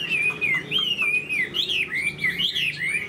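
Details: Chinese hwamei, a tame bird kept in a cage, singing a clear, sweeping whistled song of wavering slurs that rise and fall, with a sharp upward flourish midway and short pauses between phrases.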